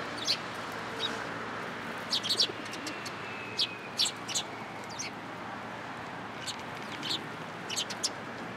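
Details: Sparrows flocking to a cherry tree at a Tenmangu shrine, March 2023: scattered sharp chirps, singly and in small clusters, over steady background hiss with a faint passing whine.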